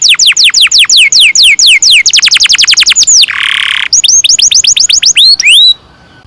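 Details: Canary in full song, a long roll meant to teach young canaries: fast downward-sweeping whistles speeding into a tight trill, a brief harsh buzzy phrase, then rising whistled notes and silence.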